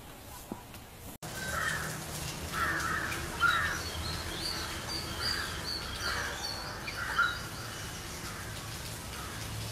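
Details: Rufous Treepie, a member of the crow family: a run of harsh, nasal, grating calls repeated roughly once a second for several seconds, with fainter higher notes and steady background noise.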